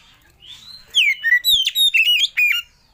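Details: Lure song of the Oriental magpie-robin, meant to set other birds singing: a gently rising whistle leads into a loud string of sliding, fluty notes and rapid warbles lasting close to two seconds.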